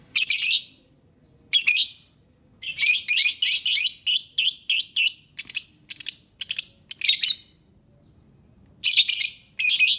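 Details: Lovebird sound played to provoke silent, reluctant lovebirds into singing: loud, harsh, buzzy screeching bursts of about half a second each, repeated in irregular runs with brief gaps against a quiet background.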